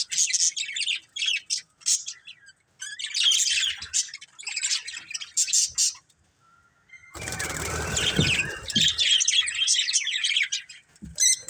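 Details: Colourful pet budgerigars, a family group, chirping in dense bursts of scratchy high warbling chatter broken by short pauses, with a stretch of broad rustling noise near the end.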